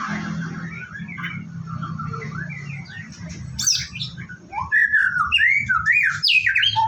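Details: White-rumped shama at a bird farm during its morning routine, getting ready to bathe: soft, varied warbling at first, then loud, sweeping, slurred whistles and sharp high notes in the second half.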